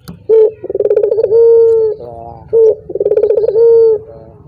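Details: Collared dove giving two full coo phrases, each a short sharp note, a quick pulsing trill and a long even hoot, with faint low background rumble, played to prompt other doves into calling.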